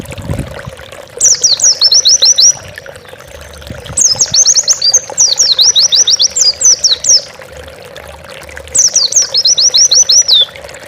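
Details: Oriental white-eye master song for training pet birds: bursts of rapid, high, sharply descending chirps in quick runs about two seconds long, separated by pauses, over a steady faint hum.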